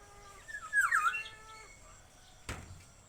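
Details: Javan myna talking, copying human speech: one short harmonic phrase that dips and then rises, lasting under a second. A sharp click follows, against quiet background hiss.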